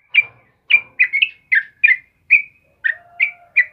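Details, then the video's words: Sooty-headed bulbul singing in full voice in the morning: short, bright chirped notes near the same pitch, given in a loose series with brief pauses, some notes doubled, a faint low steady tone late on. "suara burung trucukan GACOR PAGI HARI"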